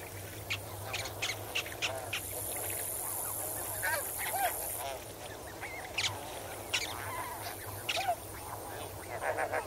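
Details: Snow geese, a flock swimming and wading in water, heard at medium close range: scattered short nasal honks overlap one another at varied pitches, over a steady high insect trill of crickets.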